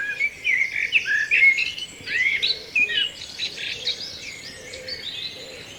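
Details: A Common Blackbird sings short, varied warbling phrases in quick succession in English woodland, probably at dawn, mid-pitched with higher twittering flourishes; other blackbirds are starting their alarm calls in the faint background.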